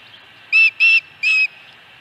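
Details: Osprey at the nest at Dunrovin Ranch, 26 August 2020: three clear, flat whistled notes in close succession, the first two nearly joined and the third after a short pause, over a faint steady background hiss.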